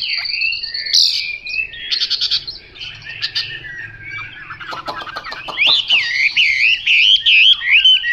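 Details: Chinese hwamei, described as 'mộc dở', singing loud ringing whistles and pulsed stuttering notes, then a clear run of rising-and-falling looped whistles repeated several times; a faint low hum is in the background.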